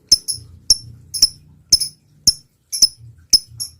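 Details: Lure recording of a lovebird: crisp, high, doubled ticking notes, each with a short echo-like tail, spaced roughly half a second apart, with a faint low hum between them.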